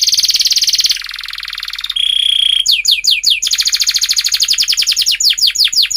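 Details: Long canary song played as a lure for young birds: a buzzy trill, a lower rattle, a steady pure whistle, then hooked notes and a long rapid rolling trill of repeated pulses.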